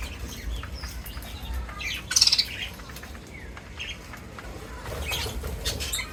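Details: Farm-kept parrots during feeding time give bright, high chirps and squeaky notes from several birds, with one loud rasping burst near the middle. A faint low rumble runs underneath.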